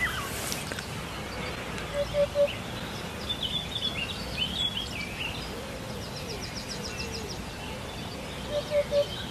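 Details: Hoopoe master song: low triple hooting phrases repeated twice, early and again near the end, with high rapid trills and chirps of other birds between them and a faint constant noise underneath.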